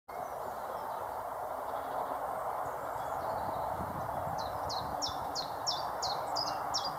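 Common chiffchaff giving a steady run of high, sharp notes alternating slightly in pitch, about three per second, over a loud background rumble.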